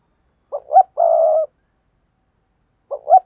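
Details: Lure spotted dove producing a complete coo of short rising notes and a sustained burry tone, then beginning another phrase after about one and a half seconds of silence.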